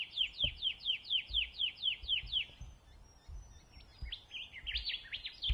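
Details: Rufous whistler in Pomingalarna Reserve, NSW, Australia, giving a rapid series of about ten down-slurred whistles, then after a short gap switching to varied, jerky whistled phrases; soft low knocks and rustles underneath.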